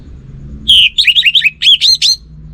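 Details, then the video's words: Orange-headed thrush, a kept songbird singing 'gacor', non-stop: a brief phrase that opens on a clear sustained whistle, then runs into quick slurred, warbling notes, all high-pitched, over a faint low hum. "Burung ANIS MERAH Lansung Nyaut Gacor Tanpa Henti"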